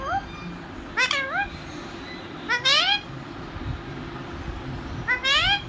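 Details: Household talking parrot uttering three separated bursts of rich harmonic, rising and wavering notes, roughly every one and a half to two seconds, against a continuous low background hum.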